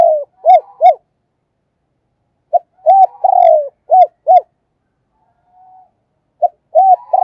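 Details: Decoy spotted dove kept as a cage bird, calling repeatedly: several phrases of low mellow coos, each with a long rolling note and paired short arched coos, separated by brief pauses, with a faint hum between phrases.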